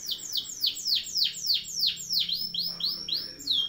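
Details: Canary rolling song meant as a training recording: loud, rich downward-swooping whistles repeated roughly three times a second, each note sliding sharply from high to lower pitch, steady and insistent throughout.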